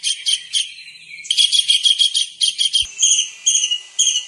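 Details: Lively kingfisher song used to tutor songbirds: shrill pulsed chatter, then sharper separate high notes, with one brief click partway through.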